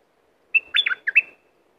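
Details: Bulbul from the south of Thailand, used to rouse birds for trapping, giving one clear phrase of sweet, warbled whistles that dip and climb before ending on a long thin tone.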